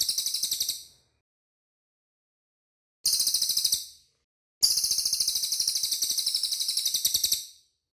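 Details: Cililin bird giving a very clean, clear recording of high, dense trills of rapid pulses, with three bursts of about one, one, and three seconds separated by complete silence.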